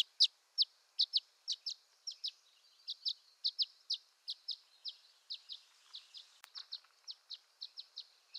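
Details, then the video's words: Violet-green swallow (Tachycineta thalassina) giving thin, high chips and twitters, about two or three per second in loose pairs, steady through the clip with no other sounds, in western North America. "Violet-Green Swallow Call"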